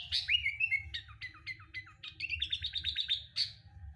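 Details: Sooty-headed bulbul singing, played as a lure to make kept bulbuls sing. Slurred whistles lead into a rapid run of clipped, evenly spaced chip notes and end with a sharp high note, over a constant low hum.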